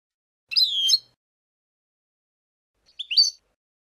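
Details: European goldfinch singing the Abou Khalil song style, used for teaching chicks: two short, high twittering phrases of slurred, falling notes, about two seconds apart, with silence between and no other sounds.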